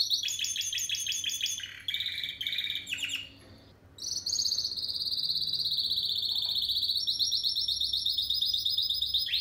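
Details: Spanish Timbrado canary, recorded 2017, alternating fast stuttering trills at shifting pitches, a brief quiet pause, then a sustained buzzy high rolling trill lasting over five seconds.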